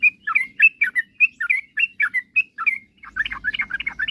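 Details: Yellow-vented bulbul in lively song, used to prompt rivals to sing fast. A brisk run of clear chirped notes ends in a denser, jumbled gurgling burst as low hum returns.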